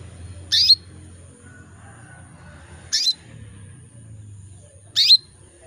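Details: Female canary in breeding condition calling to males: three short, bright chirps, each a quick rising-falling note, spaced about two seconds apart over a faint low hum.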